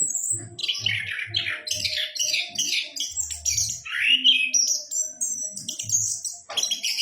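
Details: Orange-headed thrush, locally called anis kembang, singing a rich, varied run of loud whistled and scratchy phrases, descending slurs and sharp rising notes in quick succession, with soft low thumps recurring underneath.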